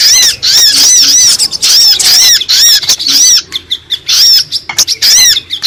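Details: Lure sound for wild brown-throated sunbirds: quick bursts of high, arched chirps about once a second, thinning into scattered shorter notes later.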